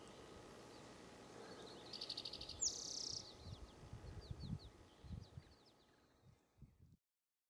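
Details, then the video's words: Mountain bluebird (Sialia currucoides) at Charles M. Russell National Wildlife Refuge, Montana, USA, overlooking the Missouri River, giving a run of soft, short, high downslurred notes, about three a second, after a brief buzzy burst, over low wind rumble. "Mountain Bluebird (Sialia currucoides)"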